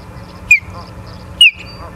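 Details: At the nest in Charlo, Montana, an osprey on 24 August 2023 at 17:43 gives two clear descending whistled chirps nearly a second apart, with faint softer notes and hum.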